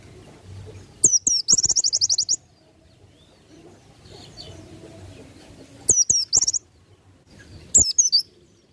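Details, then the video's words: Oriental white-eye singing in the ngalas nembak style, used as a master recording for training birds: short, very high, rapid twittering bursts of sharp rising and falling notes, three outbursts separated by quiet pauses, with faint clicks. "PLECI NGALAS NEMBAK"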